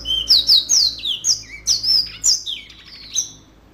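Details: Yellow-fronted canary singing hard, a rapid run of bright, high whistled notes, some sliding down and others quick chirps, packed closely together with barely a pause over nearly four seconds.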